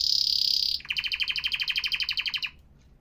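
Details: Professional-style canary song: a bright sustained high whistle switching abruptly to a fast, evenly pulsed ringing trill of about twenty notes, which stops cleanly. Faint room hum.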